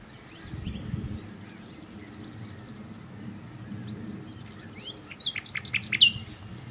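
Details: Common nightingale (Luscinia megarhynchos), song.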